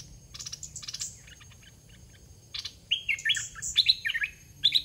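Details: Caged 'dok taeng' style red-whiskered bulbul working as a decoy for young wild bulbuls: soft chirps at first, then a loud burst of fluty, warbled whistles rising and falling near the end.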